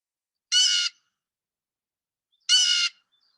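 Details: A Blue Jay in spring, Peterborough, Ontario, gives two harsh, nasal 'jay' screams, the call it is named for, each under half a second and two seconds apart, with nothing else heard.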